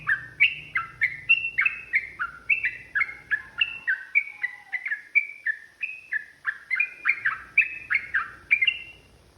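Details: Long fighting ropel song of a yellow-vented bulbul, used to provoke other birds. Continuous cascade of slurred, chirping whistles, some sliding upward and others dropping, keeps going at a brisk, uneven pace.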